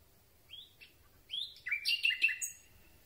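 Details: Common Nightingale singing at night, recorded from very close with a handheld telescopic boom microphone: a rising whistle, then a cluster of sharp, buzzy chirps and slurred notes climbing and falling in a hurried phrase.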